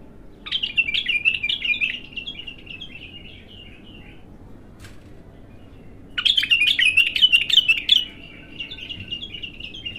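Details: Untrained bulbul giving its first full song, two bursts of fast chattering, warbled notes with quick slurred twitters, separated by about four seconds of quiet.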